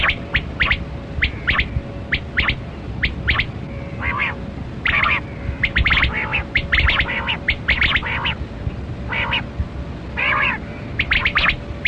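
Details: Kali kirak quail (batera) calling in a rural hunting setting: short, sharp chirping bursts repeated rapidly, roughly once a second, with some longer buzzy notes and a steady low hum throughout.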